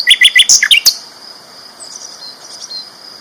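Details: Sikatan londo flycatcher, described as a champion bird with loud, clear song for training other birds: a quick burst of about eight sharp, high chirps in the first second, then faint thin notes.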